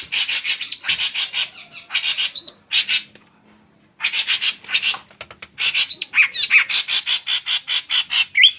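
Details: Shrike delivering long runs of fast, harsh, buzzy chatter with occasional whistled notes, with a quiet pause of about a second midway.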